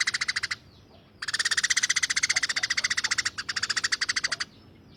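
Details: Harsh 'tembakan' rattling from a tame, vocal Eurasian tree sparrow: a brief rapid pulse train, a pause, then a long fast buzzy rattle of evenly spaced notes with a short break near the end.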